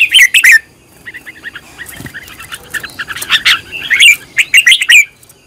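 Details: Red-whiskered bulbul in decoy training, singing rapid chattering, whistled phrases: a loud burst at the start, then a busy stream of short notes building to strong trills near four and five seconds.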